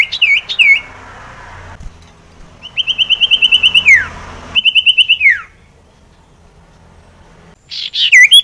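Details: Sirtu, the common iora, singing as a lure for birds that seldom sing: a looping whistled figure, then two long rapid trills of high notes, each ending in a falling slur, separated by quiet.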